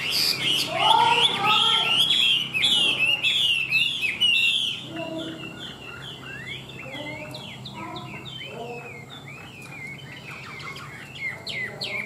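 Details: Loud, varied song from a tame caged Chinese hwamei: rapid looping whistles and rich warbled phrases at first, then a quieter stretch of repeated slurred notes in quick succession.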